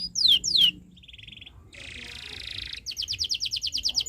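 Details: Canary tutor song for young birds: two loud falling whistles, a soft rattle, a hissing buzz, then a fast, even series of high clipped notes.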